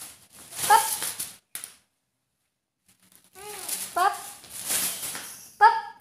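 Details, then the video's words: A pet talking Alexandrine parakeet plays with its family indoors in a small room, giving a few short, speech-like bursts, nasal and harmonic, with a silent gap between them. "Indian alexandrian patrot.... bolane wale Tote"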